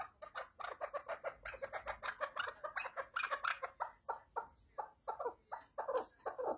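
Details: Chukar partridge giving a fast, steady series of hoarse chuck notes, about five or six per second, rising and falling in strength, with no other clear sounds.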